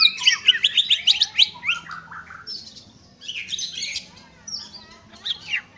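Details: Greater green leafbird giving loud bursts of rapid, jumbled chirps and short whistles, a quieter stretch, then further chattering phrases and a falling slur, with a faint low hum.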